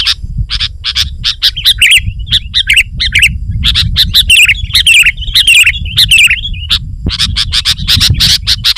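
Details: Sooty-headed bulbul singing to lure wild bulbuls and press opponents: rapid chattering chirps, then a long flowing run of liquid warbled whistles, then more fast chirping.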